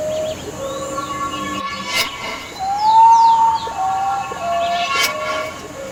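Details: Plaintive Common Potoo cry in forest: long whistled notes stepping gradually downward, mixed with sharp clicks and other chirping birds in the background.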